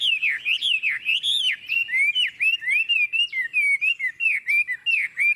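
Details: Chinese hwamei singing in the prized long ngũ trường style with an unmistakable forest voice: loud, clear whistled notes that slide up and down, delivered as a quick, uneven string of short phrases with no other sounds.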